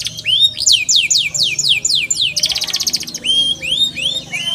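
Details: Canary (Serinus canaria) song: a bright, rapid run of repeated downward-sweeping whistles, then a fast buzzy trill, then rising slurred high-pitched notes.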